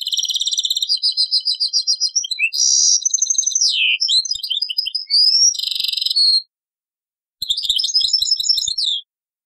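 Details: European goldfinch in taqsrain song, from an old cassette: extended sequence of bubbling trills, nasal buzzes and liquid sliding notes, a short gap, then a further tinkling twittered phrase.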